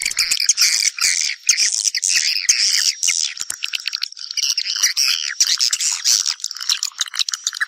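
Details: Swiftlets calling others to come and nest: dense, continuous high twittering and buzzy chirps from several birds, overlapping rapid notes with brief pauses throughout.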